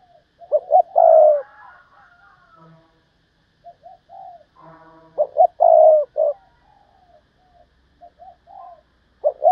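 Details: Spotted dove decoy giving repeated 'thúc bổi' lure calls: low double hoots running into long mellow coos, with several phrases across the stretch and softer answering coos and faint calls from other doves in between.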